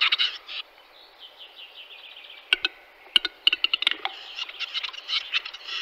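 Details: Western capercaillie in March 2022, giving a faint wheezy rasp followed by a series of sharp, knocking clicks at irregular spacing, then a run of harsh, scratchy grinding bursts.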